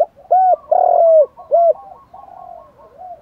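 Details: Male and female spotted doves cooing in thúc, gù and gáy gọi styles to provoke wild birds: loud deep hollow coos, a short one, a long swelling one, another short one, then softer trailing coos.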